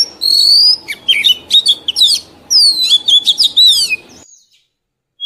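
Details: A mature wild Oriental magpie-robin sings a song meant for training young birds. A long clear whistle opens, then fast jumbled warbles and scratchy notes tumble on for about four seconds before the sound cuts to silence.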